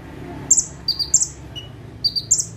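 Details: High, piercing paired notes from a bar-winged prinia singing 'tembakan' from a single perch, each burst a lower chip then a higher one, plus a brief lower whistle in between.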